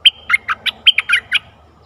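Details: Caged decoy bulbul singing to attract a wild bird, 11 August 2021: a quick, jaunty phrase of about eight loud, liquid, chirping notes at an even rapid pace, then quiet.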